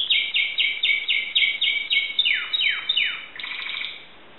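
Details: Timbrado canary from Greece singing a run of repeated down-slurred notes, about four per second, then faster falling sweeps and a buzzy rolling trill near the end.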